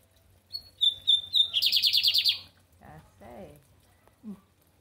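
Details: Lined seedeater singing the American song type in captivity in Brazil: high whistles, then a rapid buzzy trill of about ten pulses, with a low hum in the background and a man's voice afterward.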